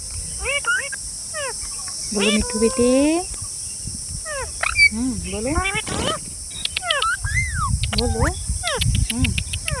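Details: Green parrots chattering in quick arched squawks and downward-sweeping calls, one drawn-out harmonic call near the start, over a steady high hiss and low rumbling noise.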